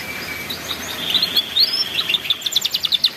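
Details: Canary ngeriwik song for training young canaries: after a faint thin tone, a rising slurred whistle leads into a quick run of repeated high chirps.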